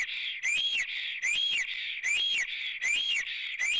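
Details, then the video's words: Male black stork singing at the nest in Latvia in April, from a live nest camera, female thought to be near; high wheezy whistles rising then dipping, repeated in steady phrases about every three quarters of a second. "Melnais Stārķis Ozols sings~lies down in nest"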